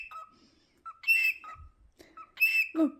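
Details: Cockatiel gives bright, whistled calls with harsh, buzzy bursts in between, repeated in short phrases.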